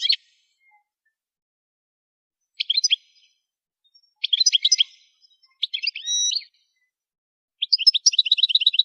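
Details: Goldfinch song phrases for song training, separated by pauses: short twittering bursts, one with a drawn-out nasal note, and a final dry, buzzy trill of evenly repeated notes.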